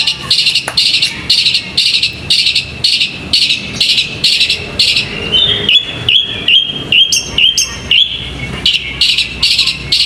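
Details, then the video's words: Competition bird kept in a cage and trained for singing contests delivers pulsing bursts of high buzzy chirps roughly twice a second, then thinner whistled notes, against constant low background rumble. "Peaceful Bird Chirping Sounds"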